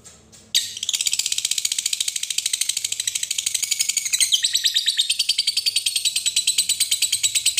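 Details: Lovebird giving a long ngekek trill used as a lure to get other lovebirds singing; after a brief click, a fast rapid-fire chatter of harsh high notes runs continuously for about seven seconds, steady and dense.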